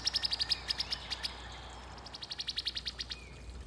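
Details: A calling female Brown-headed Cowbird in a backyard in summer 2021 gives two fast, dry, high chattering rattles of about a dozen clipped notes each, over faint outdoor background noise.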